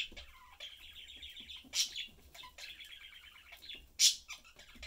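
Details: Budgerigar family of three chatting as they eat; rolling warbled chatter with buzzy trills, interrupted by two loud harsh chirps.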